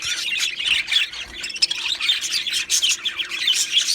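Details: Male budgies, two of them, produce a lively mix of high squeaks, scratchy buzzes and rapid twittering chirps that swell and fade continuously.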